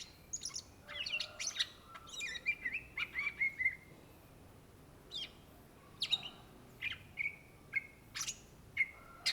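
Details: Indonesian greater green leafbird, locally called cucak ijo, in lively song: an opening flurry of mixed chirps and whistles, a short pause, then spaced sharp notes and clear level whistles repeated at about half-second intervals.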